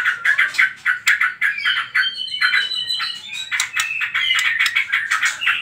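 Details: White-rumped shama trotol song meant to lure other birds to sing: quick chopped notes open, then smooth high whistled lines glide and overlap in the middle before the rapid choppy delivery resumes.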